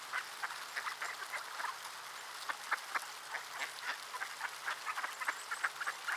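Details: Group of ducks in the cold, Quebec, Canada, December 2019 at 3:35 PM; softer, slightly distant chorus of clipped quacks, many calls overlapping in a constant busy chatter.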